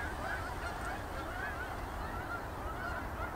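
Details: Goose flock leaving a field at evening, heading for Boulder Reservoir; distant honks repeated steadily over heavy low-frequency rumble and wind-like noise.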